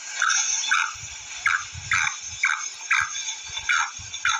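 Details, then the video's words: Repeated short, husky chirps from a female black francolin, roughly nine notes at about half-second spacing, with a continuous high hiss and occasional low bumps beneath. "Kaly Teeter ki madi ki awaz|Black female francolin2021 voice"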